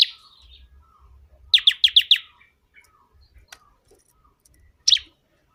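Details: High bar-winged prinia song for bird training or luring: a faint buzzy opening, then a crisp burst of five fast sharp chips, and a single further downslurred note after a gap.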